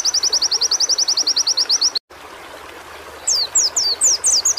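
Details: Training audio of a white-eye song to get caged birds singing: a long, fast, evenly spaced trill of high ticking notes, a short break, then several piercing downslurred whistles.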